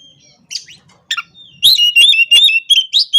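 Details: Oriental magpie-robin (kacer) singing energetically in the morning to provoke rivals; after scattered faint notes, a rapid run of loud whistled phrases with sharp clicks starts at about 1.6 seconds and carries on to the end.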